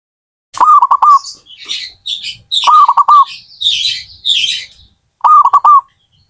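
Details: Zebra dove song of rolling, stuttering coo phrases repeated three times, mixed with higher buzzy chattering from another small bird between phrases.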